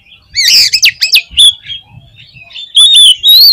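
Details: Oriental magpie-robin singing strongly, a song meant to challenge other magpie-robins: loud rapid whistled phrases and harsh chattering notes, a short pause, then clear high sustained whistles.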